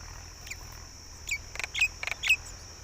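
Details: Myna chicks calling as both parents feed them; short, squeaky high chirps come in quick bursts, sparse at first and then clustering in the second half, over a faint steady hiss.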